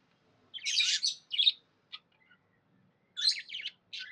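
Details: Happy budgerigar giving a few harsh, buzzy chirp bursts and a short click, separated by clear silences.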